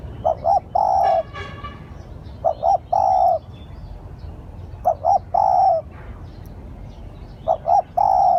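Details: Lure call of a spotted dove, meant to attract wild doves. Soft, low phrases of two clipped notes followed by one sustained coo recur roughly every two and a half seconds. A brief harsh rasp and faint high chirps sound in the background.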